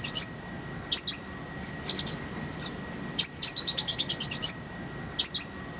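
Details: Kolibri ninja (sunbird) song for training caged birds: short bursts of high, squeaky two-part chirps come about once a second, then a long fast series of sweet twittering notes, over a faint steady hum.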